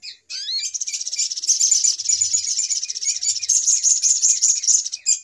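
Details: Lure sound for catching little spiderhunters, the noisy pikat ribut: after a brief rising note, an unbroken stream of rapid, high, buzzy chattering continues to the end.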